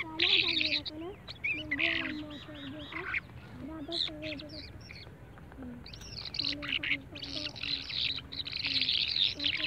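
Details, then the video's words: Several birds calling together: sharp chirps and rapid twittering phrases high up, over lower, steady, slightly wavering hooting notes repeated in short runs, with constant background hum. "birds nice sound"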